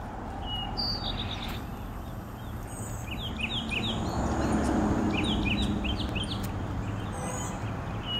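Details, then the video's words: An Eastern Towhee sings on a cloudy 50°F morning, 5 February 2020, in Oxford, Mississippi, in gentle rain: quick clusters of bright, down-slurred notes, two bursts seconds apart, over falling rain's hiss. "Eastern Towhee song"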